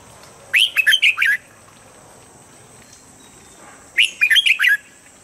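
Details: Red-whiskered bulbul singing a standard training voice for birds each morning: two nearly identical quick phrases of about five bubbling, chirpy notes, roughly three seconds apart.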